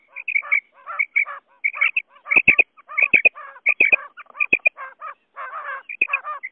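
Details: Male and female common quail calling, a recording used to lure quail: rapid clusters of sharp whistled notes mixed with harsher rasping notes, closely repeated throughout.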